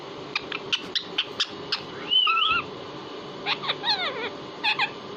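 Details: Pet parrot kept as a talking bird, giving a string of short sharp clicks and chirps, then a wavering whistled call and a burst of quick rising squeaks, over a low steady background hum.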